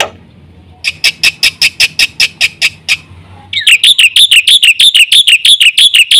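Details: Black-winged myna (jalak putih) singing loudly in full 'isian' song: a series of harsh, evenly spaced squawking notes, then a louder run of rapid, ringing, repeated phrases about five per second.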